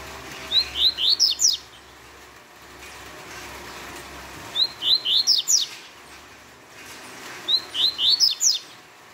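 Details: Double-collared seedeater singing an exceptionally fast, bright phrase of five or six high descending notes, repeated three times about every three and a half seconds.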